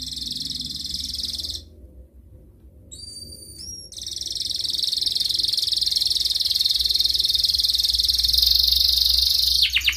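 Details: A canary in breeding condition sings to call a rival, a lure for young canaries to learn from. Dense, high buzzing trills are broken by a short pause with a few whistled upslurred notes, then the trill resumes and rises in loudness.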